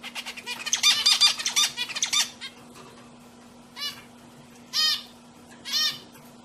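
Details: Caged pet zebra finches singing: a dense burst of nasal, buzzy notes for about a second and a half, then three separate loud nasal beeps spaced about a second apart, over a steady low electrical hum.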